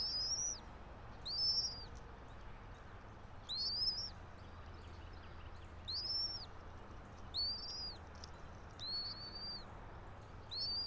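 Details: Bald eagle pair at a pine-top nest about 90 feet up, Johnson City, Tennessee, 04.03.2024, 06:28, nest camera: a steady series of eight high, slurred whistles, each rising then dropping, repeated every one to two seconds over low rumble.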